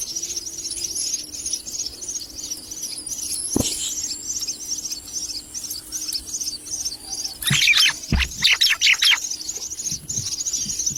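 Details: Common myna chicks, being fed a lizard by a parent, give a fast, steady stream of thin, high chirps, swelling into a louder burst of harsh, excited squawks as food arrives.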